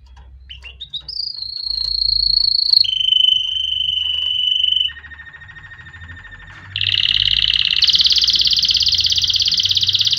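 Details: Canary song used for training chicks. Sustained high whistled notes rise into a steady tone, then drop to a lower held whistle and a softer rolling trill, ending in a loud, harsh, rapid buzzy trill over a low hum.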